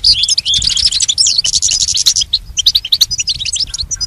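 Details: Pet goldfinch training song, a rapid run of high chirps and twittered trills that thins into scattered short notes.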